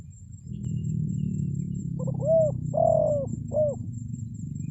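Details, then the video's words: Spotted dove cooing as a lure for wild forest birds: after a stretch of loud low rumbling noise, a soft three-note coo phrase of short, long, short notes. "SUARA PANGGILAN TEKUKUR PIKAT, BURUNG HUTAN PASTI NYAHUT"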